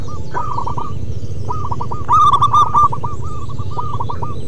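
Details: Group of local zebra doves used to coax silent doves into singing: repeated short hooked coos from several birds, a loud rolling, bubbling phrase in the middle, and a steady low background drone.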